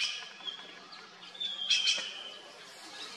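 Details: A noisy trio of red-billed blue magpies eating wild pear fruit near Mussoorie in the Garhwal Himalaya gives a couple of harsh, scratchy squawks mixed with thin high notes over a soft background hiss.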